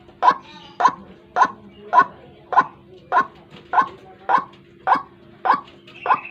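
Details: White-breasted waterhen lure call for drawing birds in the morning: harsh, croaking notes repeated about every 0.6 seconds at an even pace, eleven in all, with a steady low electrical hum underneath.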